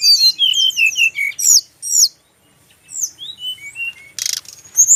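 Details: Brown-chested jungle flycatcher male from Bali: descending series of thin whistles and chirps, a pause, softer slurred notes, then a brief buzzy rattle.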